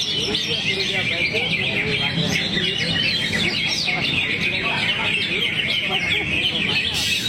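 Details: Kept greater green leafbird showing off its varied song material with wings drooped, giving dense chattering and chirping phrases, high and continuous, with a low rumble and faint voices behind.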